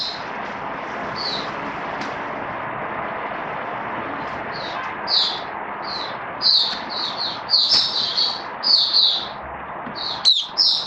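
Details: Captive oriental white-eye kept as a hobby songbird, recorded 19 September 2022: high thin chirped notes start sparse, then come in quick bursts from the middle onward over a steady background hum.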